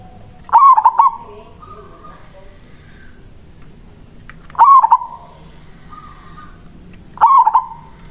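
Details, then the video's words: Strong-voiced local zebra dove singing its manggung phrase to draw a rival. Three stuttered cooing phrases, each a burst of rapid pulses, at irregular gaps of about three to four seconds, with quiet faint notes between. "Perkutut lokal Suara Besar Ampuh memanggil lawan Bunyi manggung Langsung Nyaut"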